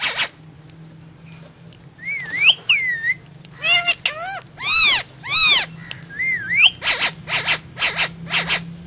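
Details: Indian ringneck parrot talking and eating guava: a rising-and-falling whistled phrase twice, clusters of ringing arched syllables, another twisting whistle, then a run of loud raspy pulses over a low room hum.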